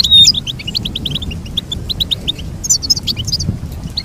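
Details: Goldfinch singing, meant to teach other goldfinches: a quick run of evenly spaced high chirps, then a cluster of sharper, higher twittered notes, with soft low background noise.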